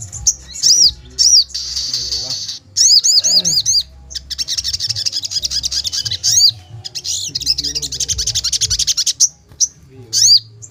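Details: Agitated sogon with drooping wings sings long bursts of very high, rapid chattering trills. Runs of repeated arched whistled notes alternate with buzzy rattles, broken by short silences, over a faint low hum.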